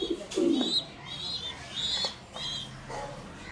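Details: Satinette pigeons at a pigeon farm: a low, soft coo swells early on, followed by faint short high whistled notes repeated several times and quieter pulses amid a busy background.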